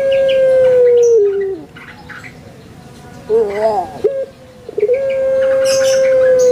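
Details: Caged Barbary dove of the puter pelung kind in Indonesia: a long sustained coo that falls at the end, a pause, a short gurgling rolled phrase, then another long, level coo. Small birds chirp in the background.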